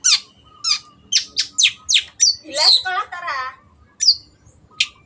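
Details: Long-tailed shrike song of sharp down-slurred squawks followed by a rasping chattering phrase and two bright whistled notes.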